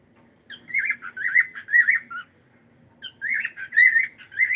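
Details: Pet cockatiel chattering in two runs of quick, buzzy, warbling squawks, each run lasting about two seconds with a short gap between.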